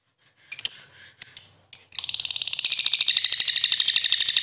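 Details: Lovebird making a few high screeches, then breaking into a long, fast, buzzy trill of rapid rattling notes.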